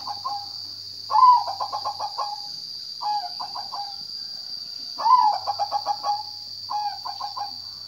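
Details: Zebra dove song, phrases of staccato bubbling coos starting on a brighter slurred note and tailing off, alternating long and short versions, over a steady high-pitched background whine and a low hum.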